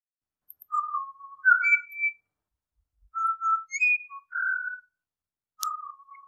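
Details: Pied Butcherbird song of mellow, flute-like whistled notes in short phrases, alternating low and higher pitches with brief pauses, on a quiet background.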